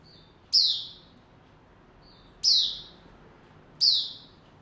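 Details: Warming-up white-rumped shama, caged, 27 December 2021: three strong high notes, each opening with a crisp click and sliding down in pitch, preceded by softer short whistles, about one and a half seconds apart.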